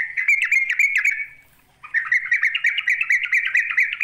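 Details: Rival-challenging calls of a sooty-headed bulbul: a rattling, stuttered buzzy phrase, a brief pause, then a longer fast chattering series of pulsed harsh notes.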